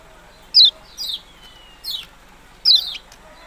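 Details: Yellow-bellied prinia calling with bright, falling chip notes and one longer descending whistled slur, four calls in just over three seconds.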